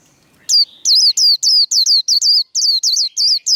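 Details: White-eye singing in the rapid 'líu' contest style, fired up for a singing duel: a quick string of sharp, downward-sliding whistled notes, about a dozen bursts in fast succession with short gaps between them.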